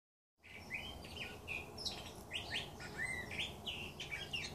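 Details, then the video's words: Birds singing in a back yard in the Arizona desert: quick chirped and whistled notes, some rising and some falling, follow one another closely over a low steady background hum. "Birds singing in The Arizona Desert"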